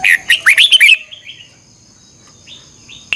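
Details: A red-whiskered bulbul, chào mào, sings one quick phrase of rising and falling whistled notes during morning singing training, then softer trailing notes and near quiet with a thin steady high hum.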